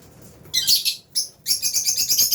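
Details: A flock of albino and Fisher's lovebirds at mealtime in an aviary chirps busily: a burst of shrill, rapid twittering, a brief pause, then a continuous stream of high, overlapping chirps.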